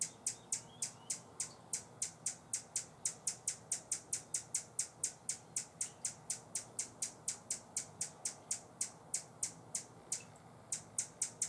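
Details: Feeder-guarding Buff-bellied hummingbird, San Benito, Texas, October 2014, giving a long fast series of dry, high-pitched chips, around four per second, with a slight falter near the end.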